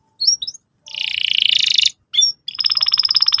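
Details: Song phrases from a canary, played as a tutor for young canaries learning to sing: two brief high whistles, a long harsh rattling buzz, a single chirp, then a fast, even, dry trill.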